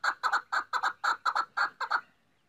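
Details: A female chukar gives about eight loud, doubled chuck-chuck notes in quick succession, then falls silent. The voice is of the maskati type.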